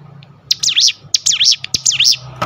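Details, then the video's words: Sunda bush warbler song used as a training recording for other cage birds: repeated high, sharply rising-and-falling whistled sweeps in quick bursts, with a faint steady hum beneath. "tembakan top ciblek gunung full Ngebrem"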